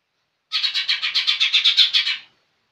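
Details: Rapid chattering from a young green leafbird, roughly twelve scratchy, strident notes in steady succession lasting under two seconds, sung in the lively gacor manner.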